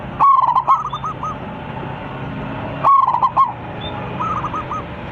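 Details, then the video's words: Local Zebra Dove, a vocal bird with a big voice, sings to call its flock: two bursts of rapid stuttering notes, each followed by a rolling, bubbly series of mellow coos, with a steady low background hum. "PERKUTUT LOKAL GACOR 27 MEMANGGIL KAWANANNYA MANGGUNG suara besar"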